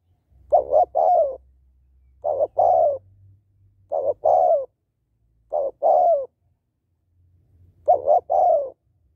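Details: Female spotted dove coos to rouse males, giving five phrases: a short double note followed by a drawn-out, downward-sliding coo, repeated every one and a half to two seconds over a soft low hum.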